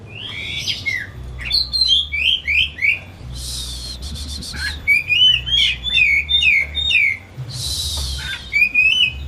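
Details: Home-kept white-rumped shama sings continuously, about three notes a second: bright slurred whistles, chattering notes and loud harsh buzzy outbursts, with a low hum beneath.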